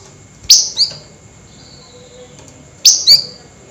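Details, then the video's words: At night, a flameback gives emotional nyerecet calls. Two harsh double notes, each a rasping burst and a shorter squeak, come about two seconds apart, with a faint thin whistle between them. "Tembakan Burung FLAMBOYAN GACOR Nyerecet Emosi Tinggi DiMalam Hari"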